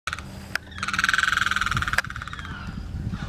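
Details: At Circle B Bar Reserve, a Limpkin gives one loud, harsh, wailing cry lasting about a second, with a rough, rattling edge, over sharp knocks and a low rumble, possibly a passing boat.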